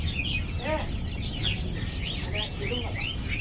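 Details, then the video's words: Brightly coloured lovebird in full song: quick, high, upward-sweeping chirps repeated several times a second, with a few lower clipped notes between them, against steady low background hum. "Burung love bird gacor"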